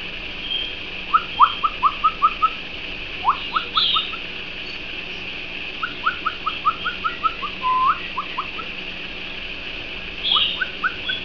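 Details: Pet canary giving bursts of short, sharp, upward-flicking chirps in quick runs of four to six, with pauses between runs and a faint higher whistle now and then over a steady background hiss.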